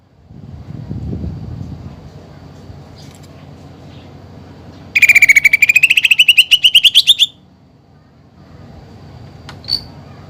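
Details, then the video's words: Greater green leafbird song with mimicked fighting sparrow and woodpecker material: after quiet low rumbling, a single two-second run of quick pulsed notes rises steadily, followed by silence and one short sharp note near the end. "CUCAK IJO GACOR FULL ISIAN TEMBAKAN GEREJA TARUNG DAN PELATUK BAWANG"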